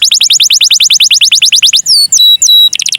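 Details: Canary singing in the ornate cengkok mewah style, used as a lure to set other canaries singing. It opens with a fast run of high, sharply falling notes, then gives a few long whistled slurs and ends in another rapid trill.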